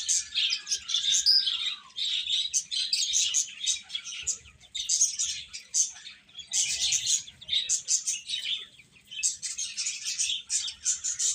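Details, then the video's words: Chicks of the domestic chicken, many calling at once: a dense chorus of high, thin cheeping chirps overlapping without pause, with brief lulls near four and nine seconds. "Cute Chicks Chirping Sounds"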